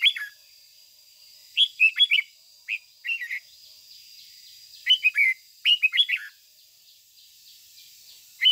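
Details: Decoy red-whiskered bulbul singing morning 'ché' song to get other bulbuls fired up. Short chirpy phrases of two to four bright notes follow each other, with loud sharp syllables and a pause of about two seconds midway.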